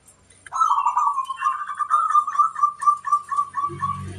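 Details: Local zebra dove (perkutut), a keen singer whose voice sets other birds answering, gives one long cooing phrase: a rapid string of rolling, throaty notes at a steady pitch, about two a second, ending with a faint low hum.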